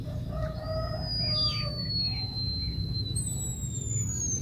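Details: White-headed munia, called emprit kaji, giving its long whistle: a thin, high, drawn-out whistled tone that slides slowly downward, then a second high whistle joins after a short break, over steady low rumbling background noise.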